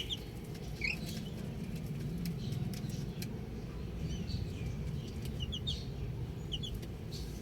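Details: Baby chicks outdoors, short high chirps scattered through the recording, some rising and some falling, in small bursts of two or three, over a steady low rumble of wind or handling noise with clicks.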